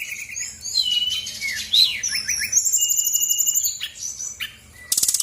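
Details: Lure recording of a female Brown-chested Jungle Flycatcher from Bali: fast varied twittering and whistled notes, a long high sustained trill, and a harsh buzzy burst at the end.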